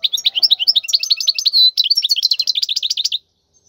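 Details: Wild European goldfinch song in khalwi style for tutoring chicks: an unbroken three-second stream of fast, varied tinkling twitters with one brief sustained buzz midway, then silence.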